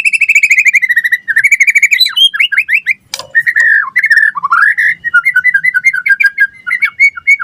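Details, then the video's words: White-rumped shama in full, energetic song meant to draw replies from other shamas: loud rich whistles, then fast trilled runs and quick varied phrases that rise and fall, delivered almost without pause. "Suara Murai Batu Gacor cepat RESPON NYAUT"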